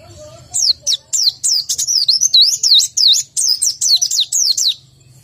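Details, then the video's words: Continuous high twittering from a white-eye low in breeding condition, rapid down-and-up slurred whistles strung together for about four seconds, roughly three notes a second. "BEGINILAH BUNYI PLECI KURANG BIRAHI atau KURANG KENCENG"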